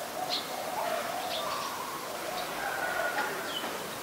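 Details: Adult zebra dove recorded at Ubon Ratchathani, Thailand, on 28 December 2020, giving soft, low cooing notes in short separate bursts through the clip. Sharp higher chirps from other birds and a steady hiss of background noise are also heard.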